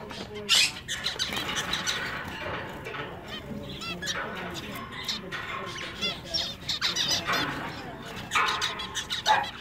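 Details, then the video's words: Caged zebra finches, including singing males, in a pet shop: nasal, honking "meep" calls in bursts of stacked notes, with softer chatter and scattered chirps between them. "Male Zebra Finches Singing In A Pet Shop"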